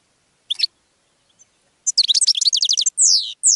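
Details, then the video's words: Goldfinch singing to attract other birds: a short twitter, a pause, then a rapid run of high chattering notes followed by two drawn-out downward buzzy slurs. "GOLDFINCH SONG to ATTRACT Other Birds"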